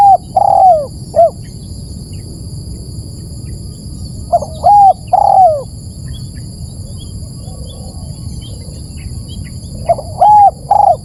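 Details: Spotted dove lure recording: three separate groups of low mellow coos, each a few short notes around a drooping longer coo, spaced roughly four seconds apart with quiet between. A constant faint high hum is present.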